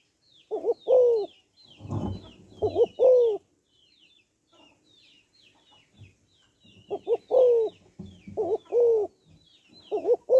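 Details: Female spotted dove calling to excite males, giving soft hollow coo phrases of a quick doubled note and a drawn-out descending coo, with a brief rustling thump and thin twittering of other small birds in the background.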